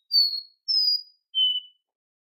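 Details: Short burst from a captive-bred copper seedeater: three sustained, pure whistled notes, the first two high and level, the last a little lower, each separated by a brief pause; quiet background.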